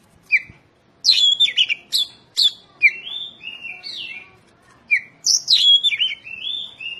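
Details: Oriental magpie-robin song used to train caged birds, dense 'tembakan rapat' style: clear downslurred whistles and long drawn whistled notes between sharp chattering bursts, several phrases a few seconds long.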